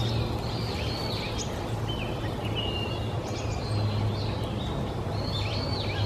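Japanese Grosbeak giving clear, fluty whistled phrases with slurred rising and falling notes, over a steady low rumble of background noise.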